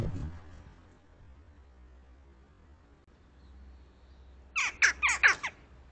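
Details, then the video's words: At 7:15 AM, a family of crows (a mated pair joined by others, four in all) at a peanut puzzle feeder gives a fast burst of four harsh, hoarse caws after a low thump, likely calling for the person who brings peanuts. "These birds aren't just calling other crows. They're probably calling me. They've learned who brings the peanuts."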